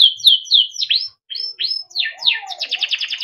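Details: Timbrado canary training song with repeated short chirps, upward-swept notes after a brief gap, a soft low slurred note, and a fast bright trill at the end.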